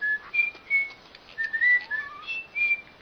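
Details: Bird song of clear whistled notes, some steady and some sliding up or down, given in short separate phrases around mid pitch with brief pauses between them.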